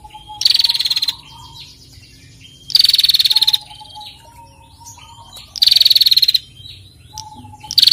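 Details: Female bar-winged prinia ngetir calling to stimulate other birds: four loud rattling trills of fast even pulses about every 2.5 seconds, interspersed with faint chirps and thin whistles.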